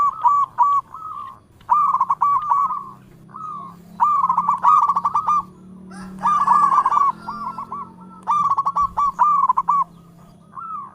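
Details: Local zebra dove calling out repeatedly. Phrases of rapid, staccato, bubbling coos come in bursts about every two seconds. Fainter coos from other doves overlap at times, over a low steady hum.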